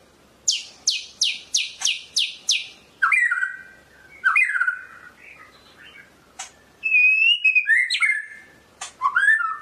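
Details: Murai medan white-rumped shama song opening with six fast, evenly spaced sharp downward sweeps, then a mix of slurred whistles, a lone click and a high wavering warble; quiet background.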